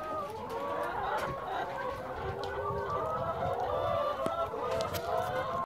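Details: Free-range egg-laying hens, six hundred strong, on a Cuyama, California ranch keep up a steady babble of overlapping clucks and long wavering calls. A few sharp clicks and knocks punctuate the chorus.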